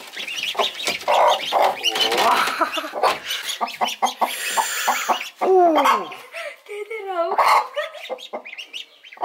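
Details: A brave mother hen guarding adopted ducklings. Bursts of clucking are broken by short, curving, whistled peeps near the middle. A few low sounds and scattered clucks follow.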